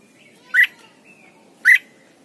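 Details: Thai red-whiskered bulbul, recorded for teaching young birds to sing. Two separate short bright chirps about a second apart, each with a faint drawn-out whistle trailing after it, in a calm background.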